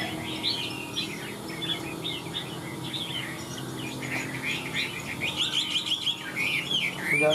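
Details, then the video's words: Varied warbled whistles and chirps from a caged Chinese hwamei singing high. The phrases come in bursts and grow busier toward the end, over a steady low hum. "Họa mi bóng bộ to đẹp hót cao"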